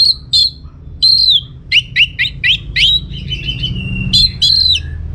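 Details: Orange-headed thrush kept in northern Bali, Singaraja, singing as a lure for other birds; quick series of bright downslurred whistled notes, some repeated in pairs, ending in a sustained whistle, low hum underneath.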